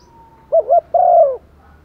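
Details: Decoy spotted dove giving a calling coo to attract wild doves: a quick wavering double note, then a long, low, gently falling coo, over a faint steady hum.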